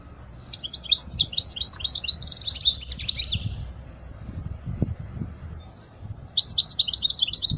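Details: Goldfinch song for teaching young birds: a burst of rapid high twittering with a buzzy trill, a two-second silence, then another quick run of chirping notes, with low background rumble.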